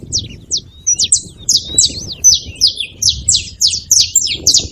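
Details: Several saffron finches noisy together: rapid sequence of high, sharply falling chirps that grows denser and overlapping, steady low rumble in the background.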